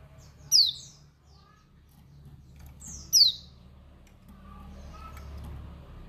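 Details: A female white-eye of the Dakun Bali type gives a calling note said to excite and anger males. Two sharp, very high chirps sweep steeply downward, about 2.6 seconds apart, over a low background hum.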